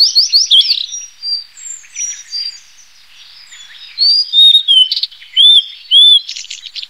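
A Blue-and-white flycatcher sings a high, clear series of whistled, slurred phrases, some rising and falling, with a pause midway and buzzy notes near the end.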